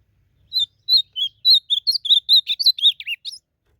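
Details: Blue-black grosbeak, or azulão, singing in nature in a song contest: a lively series of roughly fourteen clear whistled notes, warbling and slurred, the last ones dipping lower, in otherwise quiet surroundings.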